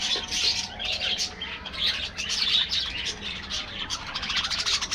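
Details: Budgerigars in an aviary colony, a dense overlapping chatter of many birds: continuous high chirps and warbles with short squeaky notes, steady throughout with no pauses.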